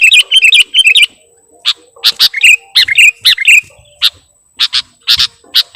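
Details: Sooty-headed bulbul (kutilang) lure song full of borrowed phrases: a quick twittering run, then a pause, then scattered sharp high chirps and short trills.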